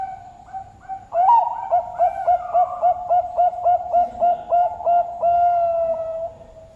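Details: Zebra dove, two and a half years old and kept at a bird farm in Sidoarjo, East Java, Indonesia. A soft lead-in, then a fast, evenly repeated string of about a dozen bubbling coos ending on a long held tone.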